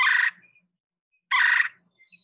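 A Red-bellied Woodpecker gives two loud, harsh, rolling churr notes, each about a third of a second long, spaced just over a second apart.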